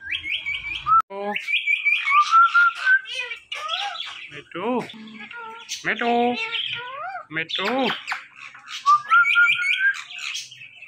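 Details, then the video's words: Talking ringneck parrot producing repeated mimicked word-like phrases, with strongly harmonic, nasal syllables alternating with flat whistled notes and quick chattering bursts. Phrases are separated by brief pauses over about eleven seconds. "The Best Talking Compilation Of Ringneck Parrots"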